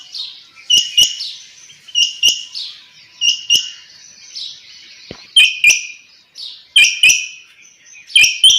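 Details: A quail, possibly female, early in the morning gives short, high chirping notes, often in quick pairs, about once every second or two, with sharp clicking taps between them.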